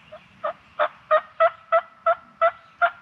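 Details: Wild turkey on opening day of the 2023 turkey hunting season in Tennessee: nine evenly spaced, nasal, harmonic notes, each about three tenths of a second apart, steady in pitch over three seconds, with a faint low rumble beneath.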